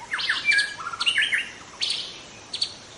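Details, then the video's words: Young wild forest white-rumped shama delivering a rapid jumble of varied whistles and chirps, then shorter sharp notes after a pause. "Kicau murai muda hutan"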